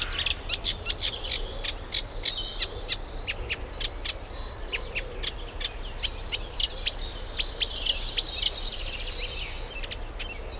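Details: Eurasian reed warbler, a summer visitor from Africa, singing at a UK nature reserve while pairing up and nesting; rapid churring, chattering phrases of repeated scratchy notes with some higher thin squeaks, steady background hum.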